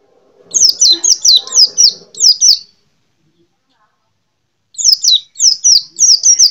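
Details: Small yellow-green white-eye, a popular kept songbird: a fast run of about eight high, sharply down-slurred chirps, then a pause and another rapid burst of similar notes.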